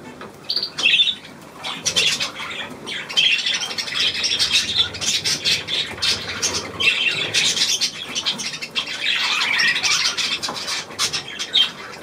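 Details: Budgerigars on 9 February 2024, giving continuous warbling chatter of quick raspy and chirping notes, swelling in bursts around two, five and ten seconds.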